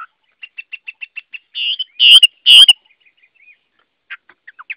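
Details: Chinese hwamei (Garrulax canorus) song opening with a rapid series of soft ticks about eight times, then three loud harsh whistled bursts, followed by sparse quiet notes and short rising chirps.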